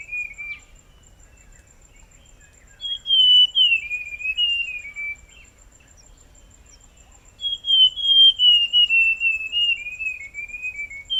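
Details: A Forest scrub robin sings two long whistled phrases of stepped, descending slurred notes separated by several seconds of quiet, with regular insect ticking throughout.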